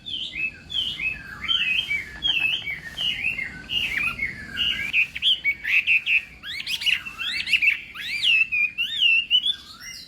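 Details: Chinese hwamei in morning voice training for singing contests, giving a fast run of short repeated whistled notes that builds into louder, wide-swooping whistles and trills toward the end.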